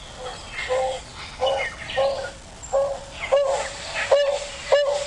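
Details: Narina trogon call played back on a sunrise safari drive near Kruger National Park on 9 February 2016: a series of low hooting notes, about one every 0.7 seconds, growing louder and more emphatic toward the end; faint hiss.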